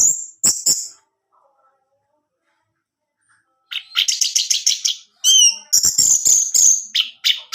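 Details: Orange-headed thrush song from a kept bird, played to stir a quiet male into singing. It opens with sharp clicks, then a long pause. After that come rapid chattering runs, rising and falling whistles, and loud clicking knocks.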